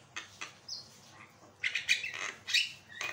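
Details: Singing Javan myna, recording meant to coax other birds into song: a couple of dry clicks and a short whistle, then a dense burst of harsh, chattering squawks.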